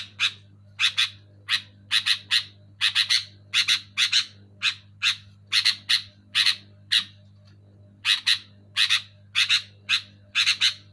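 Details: Loud, clear sooty-headed bulbul (kutilang) chatter: a long run of scratchy double and triple chirps, closely spaced and fairly even, over a faint constant low hum.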